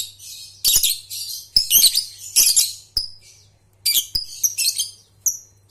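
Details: Lovebird trilling (ngekek) meant as a lure for young birds learning to sing: bursts of scratchy, shrill chatter about a second long, broken by short pauses and a few thin squeaks, with a low background hum.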